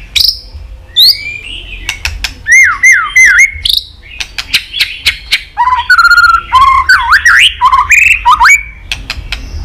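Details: White-rumped shama in continuous 'tạch' song used to stimulate other shamas: rich, varied whistled phrases with looping up-and-down slurs, interspersed with sharp snapping clicks and rapid chattering notes, loud and close.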